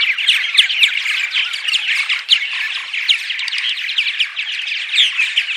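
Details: Purple martin morning vocalizations used to attract martins to a birdhouse: a dense, continuous chorus of many overlapping chirps, gurgles and squeaky notes, with no pauses or other clear sounds.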